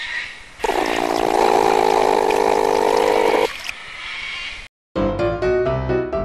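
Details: A loud, steady machine-like roar with a rushing, pumping quality lasts about three seconds, followed by a brief silence and then a burst of music with no animal voice.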